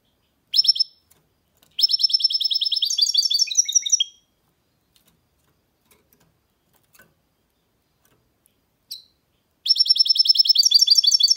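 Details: A goldfinch hybrid (mule) sings loud, high, twittering phrases: fast rattling trills with tinkling, descending notes, two long bursts separated by a quiet pause and a single chirp. No other sounds are heard.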